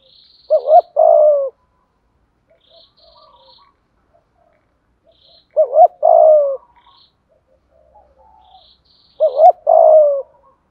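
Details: Spotted dove cooing in the 'giọng thổ' 'thúc gù' style: three phrases roughly four seconds apart, each a stuttered double coo and a longer falling coo. Faint high chirps from other birds sound between them.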